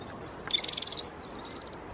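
A red-fronted serin gives a high, rapid, buzzy twittering trill of about a dozen notes, then a fainter, shorter burst over quiet background hiss.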